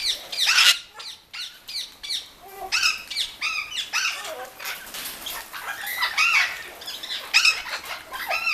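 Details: Several caged Orange-winged amazons at a Lake Balaton bird garden call while bathing. Rapid harsh squawks and arched, rising-falling screeches come in quick succession, mixed with splashing and fluttering wings.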